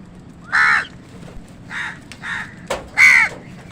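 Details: A crow caws loudly in a fight with wild birds over food, four harsh drawn-out calls with a sharp click between the last two, against a quiet low hum.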